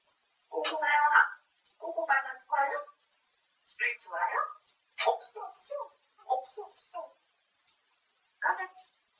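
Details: Grey parrot chattering endlessly about eating, with a steady series of short spoken phrases separated by brief pauses and one last word after a longer silence.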